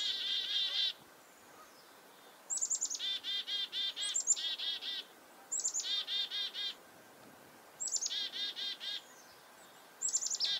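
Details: Chickadee alarm calls prompted by a nearby goshawk, recorded on a farm in winter, February 2021. Bouts of high, clipped introductory notes and long strings of grating dee notes repeat every two seconds or so against a quiet rural background.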